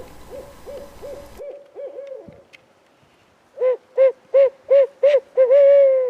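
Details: Wild barred owl in spring woods, giving robust return calls from a hidden new spot in the trees before heavy rain: a soft run of quick low hoots, then five loud clipped hoots and a final drawn-out, slurred hoot.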